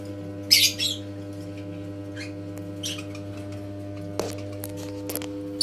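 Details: Lovebirds kept at a breeding farm: several short, harsh, high squawks and chirps scattered across the recording, loudest near the start, over a steady low electrical hum.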